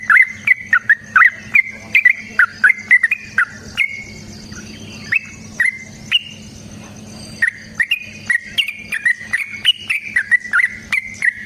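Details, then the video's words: Lure recording of a yellow-vented bulbul's long fighting song: fast bubbly chattering notes in an unbroken run, a short pause with a few isolated notes midway, then the rapid warbling resumes. "Suara Trucukan GACOR Tarung Ropel Panjang Pancingan TRUCUKAN Agar Bunyi Jadikan Burung TRUCUK Gacor"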